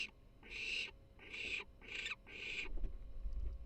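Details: A baby barn owl (Tyto alba), chick #3 on a bird cam, purrs in excitement: four harsh, breathy, hissing purrs in quick succession, about two per second, then low rumbling noise.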